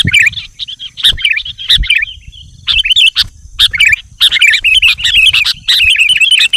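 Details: Chattering, fluent sooty-headed bulbul song meant to attract wild bulbuls: dense runs of warbled, wavering whistles, almost continuous, with occasional sharp snapping notes and faint low background rumble.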